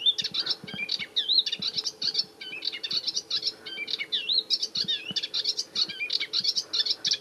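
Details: Melodious warbler, back in spring as every year, singing from its favourite tamarisk on the Arcachon Basin, France: a fast, continuous jumble of high chattering and twittering notes with quick slurred whistles, scarcely pausing.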